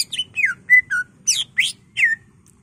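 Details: Cucak ijo showing off its varied phrases while singing in a worked-up state, played as a lure and master; loud descending whistles alternate with sharp, rising, buzzy notes, about seven in quick order.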